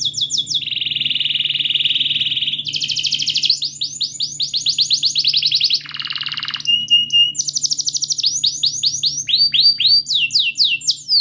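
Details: Canary singing a long rolling song, played as therapy to coax silent young canaries into singing. Loud high sustained trills and rolls change into rapid sweeping whistled notes and chirps, with a brief lower buzzy roll near the middle and a steady low hum beneath.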